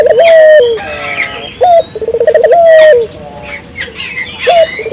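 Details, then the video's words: Ring-necked dove, recorded to stimulate local doves to call: a long coo, a short upslurred note, then a pulsing trill that flows into a sustained falling coo, while other birds chirp and whistle behind. "suara burung puter gacor,merangsang burung puter lokal ikut gacor"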